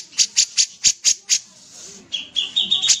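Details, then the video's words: Six sharp, high, dry chips evenly spaced from a sooty-headed bulbul in full voice, followed after a short pause by a brief, rising, more tonal warbled phrase. "suara burung kapas tembak gacor"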